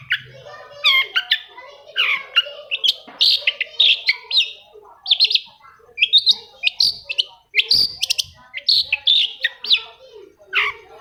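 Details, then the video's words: Song of a long-tailed shrike, played to make other shrikes start singing: lively, mimic-like phrases of harsh and whistled notes, repeated in quick bursts over eleven seconds. "CENDET MACET SUSAH BUNYI PASTI NYAUT KETIKA MENDENGAR TOETAN BURUNG CENDET INI"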